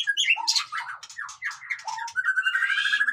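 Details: White-rumped shama (murai batu) in noisy song, played to boost the mood of lazy birds: harsh, squawky notes and slurred phrases leading into a fast, steady trill.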